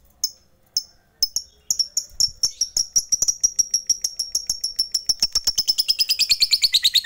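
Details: Fighter lovebird calling rivals with a drawn-out "ngekek" chatter: a few spaced, piercing chirps that speed up into a fast, continuous shrill rattle, growing denser and harsher toward the end.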